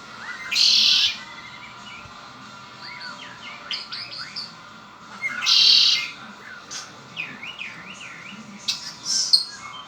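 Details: Pet red-winged blackbird singing: a harsh, buzzy, trilled burst about half a second long, repeated roughly every five seconds, with softer rising and falling whistled chirps between the bursts.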